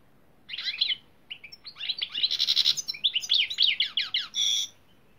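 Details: European greenfinch (Carduelis chloris) delivering a sustained twittering song: tumbling chirps and trills, a buzzy passage midway, and a harsh drawn note closing the phrase of about four seconds.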